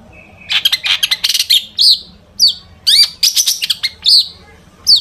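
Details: Captive long-tailed shrike singing a rich mimicry-filled song, played to provoke other shrikes into singing: rapid chattering bursts, raspy trills and downslurred whistles with brief pauses.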